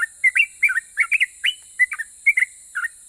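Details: Sooty-headed bulbul in persistent rapid song said to prompt other bulbuls to reply. Paired and tripled bubbly whistled notes, dipping and rising, tumble out about four per second in a lively, uneven rhythm.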